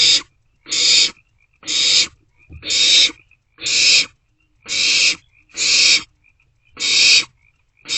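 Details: Barn owlets sharing prey inside an owl box, 27 March 2024, between 1:47 and 2:06 am. Nine steady, wheezy screeches are spaced under a second apart, all similar in length.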